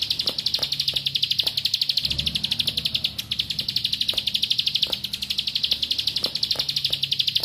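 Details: Bar-winged prinia lure song, the rapid-fire 'nembak rapet' material of ciblek pari, played so rival birds respond: a long, continuous stream of quick high clicking notes, briefly dipping in loudness midway, with low rumbling behind.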